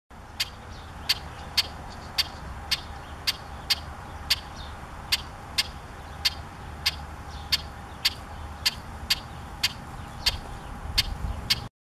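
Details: Very agitated male Brewer's blackbird following the recordist in a community garden in Regina, 19 June 2018, giving sharp, dry chek notes about two per second at a steady pace, over a low hum of distant traffic.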